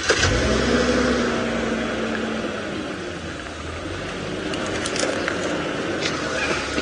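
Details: A vehicle engine rumbles and revs steadily, with road noise and wind throughout and no animal calls.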